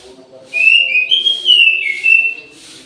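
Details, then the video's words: Orange-headed thrush singing actively at midday in an aviary: three bursts of clear, slurred whistled notes that rise and fall over about two seconds, with a steady low hum underneath. "ANIS MERAH GACOR DI SIANG HARI"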